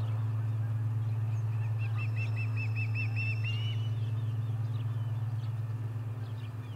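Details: Osprey at the Charlo nest on 30 July 2020, during the third fish delivery of the day. A quick series of about eight short, clipped chirps, closely and evenly spaced, ending in a slightly longer note, over a constant low electrical hum.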